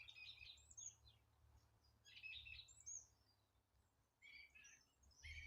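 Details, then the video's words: Birds singing outdoors in April, slowly warming up their songs: short high chirpy twittering phrases in bursts roughly a second apart, with a quieter reply at the end and a soft low background rumble. "Апрель: птицы потихоньку распеваются"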